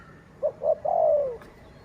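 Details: One phrase from a dove that is described as a decoy for luring wild birds: two brief low coos, then a sustained coo that tapers downward. Quiet background hiss throughout.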